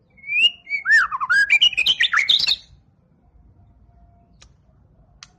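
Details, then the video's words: White-rumped shama, a champion competition bird, in a short burst of varied song: a clear whistled note, then slurred descending and rising phrases and rapid chattering notes for about three seconds, followed by near silence. "MURAI BATU JUARA. Kumpulan Tembakan Murai Batu juara"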